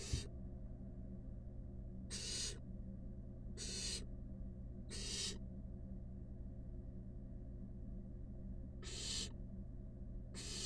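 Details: Wild barn owl nestlings, five huddled together in a nest box, give a series of short rasping hisses at irregular intervals. Several come close together early on, then a longer pause before two more near the end. A low hum persists throughout.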